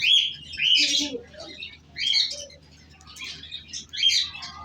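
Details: A pet cockatiel in its home gives three or four clustered bursts of scratchy high chirps separated by short quiet gaps.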